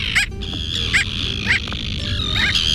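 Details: Bridled tern (Onychoprion anaethetus), an unexpected visitor to a neighborhood, giving short, nasal, yapping calls about every half second, like a small dog barking, hence the name "dog tern"; faint steady hum behind.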